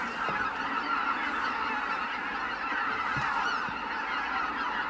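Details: Greater white-fronted geese leaving the roost in a steady chorus of many overlapping yelping honks, even in loudness across the whole stretch, with a few soft low thumps beneath.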